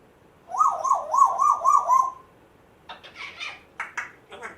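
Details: A rescued African grey parrot, one month after rescue, mimicking sounds it picked up in its previous home such as a squeaky door: a wavering, warbled whistle for about a second and a half, then harsh clicks and scratchy squawks.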